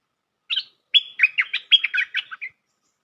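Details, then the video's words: Bulbul (local name merbah lekir) played as a trapping lure: a single short note, then a lively two-second run of about nine bubbly, chattering notes that rise and fall, in clean silence. "Suara pikat merbah lekir"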